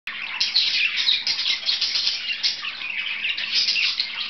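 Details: Two pet budgerigars at play, giving a dense, continuous stream of high chirps, squeaks and warbling chatter with brief louder squawky notes throughout.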